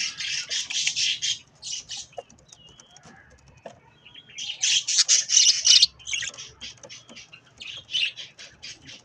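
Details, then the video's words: Budgie parakeets feeding on strawberries; loud bursts of harsh rapid chirping in dense clusters, a pause mid-clip, then another loud burst and quicker short chirps toward the end. "Budgies Sounds while eating Strawberries"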